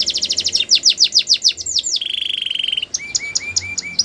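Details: Belgian canary song opening with a quick run of descending whistled notes, shifting into a steady buzzy rattle, then spaced chirps repeated about four times a second, over faint background hiss.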